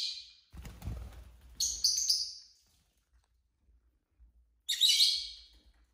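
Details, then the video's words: Pet lovebirds at home on a relaxed Saturday, a flock of six colourful birds; shrill, harsh high chirps in short bursts at the start, middle and end, with a low thump or handling noise between the first calls. "love birds sounds"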